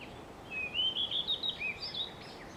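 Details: Blue-and-white flycatcher singing nearby on 2 June 2020: a flowing phrase of clear whistled notes, rising and falling between mid and high pitch over about a second and a half, ending in a few higher slurred notes, with faint background hiss.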